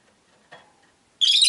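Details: Caged rosy-faced lovebird by a window lets out one sudden buzzy, harsh squawk at the very end, following near silence and a faint thump.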